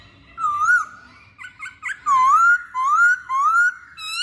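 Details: Masked laughingthrush lure song: loud, clear whistled notes that swoop low and then rise, repeated about every half second after a few short chirps. The background is quiet.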